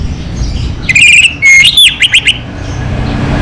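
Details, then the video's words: Orange-headed thrush, local variety, singing energetically: a loud whistled phrase with a rising note, then quick descending slurred whistles repeated four times, over low traffic rumble. "Suara ANIS MERAH Lokal Gacor"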